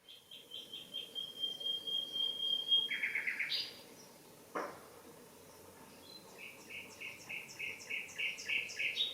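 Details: Common nightingale singing in a garden: a long steady whistle, a buzzy low burst and a sharp click, then rapid repeated pulsed notes in a fast rhythm, with soft background noise.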